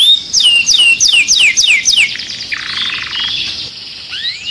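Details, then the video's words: Agitated canary in a cage sings a string of loud descending whistles about four per second, then shifts into a buzzy humming trill and a final rising slur. "Cantando um canário em fúria dentro da gaiola"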